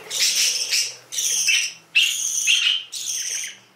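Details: Four loud, high, rasping canary bursts, each under a second, with a rising sharper note inside the later ones and quiet pauses between them.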